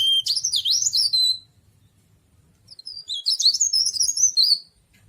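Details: Two fast, tumbling bursts of high, warbled twitters from a cikrak daun, or tralis, leaf warbler, each about a second and a half long, separated by a short pause.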